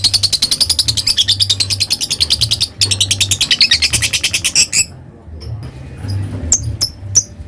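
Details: Lovebird in long ngekek chatter: a fast, unbroken rattle of high squeaky notes, over three per second, running for several seconds, then a short pause and a few scattered chirps, with a low hum in the background.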